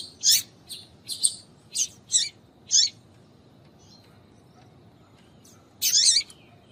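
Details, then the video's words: Female Double-collared seedeater calling to excite males: five or six quick high chips in the first three seconds, a long silence, then one harsh burst near the end. "Fêmea de Papa capim piadeira para Foguear Papa capim"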